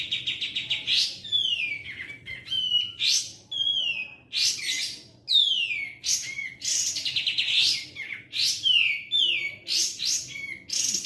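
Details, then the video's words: Sooty-headed bulbul singing loudly and continuously, a training recording for songbirds: dense rapid chatter alternating with strong descending whistled sweeps, repeated every second or so. "Katem gacor"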